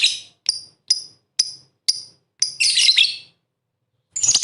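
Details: Lovebird recorded as bait to provoke rivals: six sharp descending chips, about one every half second, running into a rough, buzzy chattering burst, then a further harsh chatter after a pause.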